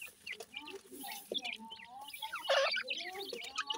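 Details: Francolin (teetar) chicks while feeding: soft clucks and short level whistled notes overlap with high thin cheeps, several birds calling at once, with a louder burst of scratchy sound near the middle.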